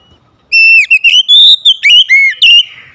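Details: Home-kept Oriental magpie-robin, one clear phrase of strong whistles that begins with a long steady note, then rises and dips in quick slurred steps, lasting about two seconds.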